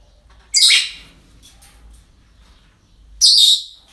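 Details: Parrots calling at a breeding centre on an ordinary day: two loud, harsh, rasping squawks about two and a half seconds apart, with near-quiet in between.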